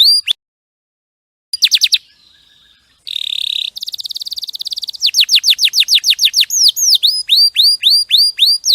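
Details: Clear canary song used as training material, starting with a few sharp notes and a pause, then a buzzy rolling tour, quick trills and a closing series of repeated upswept looping whistles.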